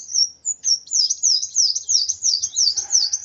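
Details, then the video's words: A sunbird described as worked up sings a steady series of high, thin downslurred chirps, about three or four each second, evenly paced throughout. "Burung Kolibri Wulung Emosi Sampai ke Ubun Ubun.."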